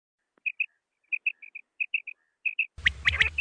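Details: Common quail (Coturnix coturnix) calling in the morning, used as a hunting call: short, liquid, high notes in quick pairs and triplets like 'wet-my-lips', before a burst of rough noise ends the recording.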